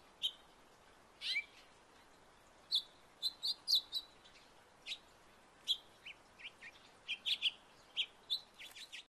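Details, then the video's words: House finch in a backyard giving sharp, isolated chirps at irregular intervals, some in quick pairs, over a steady background hiss. "House finch singing sound in my backyard"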